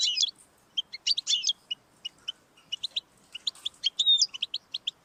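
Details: European goldfinch song meant to prompt a caged goldfinch to sing, opening with a loud buzzy burst, then quick separate chirps and tinkling twitters, with one clear whistled note near the end.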